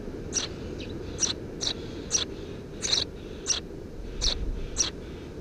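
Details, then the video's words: Under a house roof, three Eurasian tree sparrow nestlings, recorded 2 June 2017, chirp briskly, about nine short high notes in quick uneven succession over a noticeable low rumbling background. "Воробей полевой 170506 1 под крышей дома 20170602gp4k 3 чирикающие мордашки"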